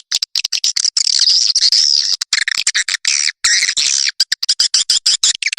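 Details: Swiftlets in a calling and roosting recording for Indonesian swiftlet farmers: long continuous buzzy twittering mixed with rapid dry clicks, ending in a string of quick ticks.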